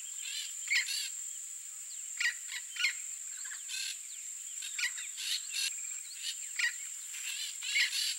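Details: A wild, free-living Yellow-faced Parrot (Alipiopsitta xanthops) gives short, harsh squawks at irregular intervals, about a dozen in eight seconds, over a steady high insect drone.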